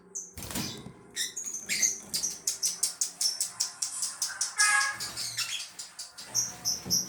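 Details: Caged lovebird from Gresik, East Java, bred for song contests, giving its long 'ngekek' trill when the cage cover is opened: a steady run of sharp high chirps, about three per second, over a faint low hum.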